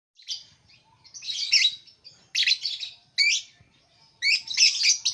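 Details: Lovebird giving high, shrill chattering chirps in short bursts separated by brief pauses.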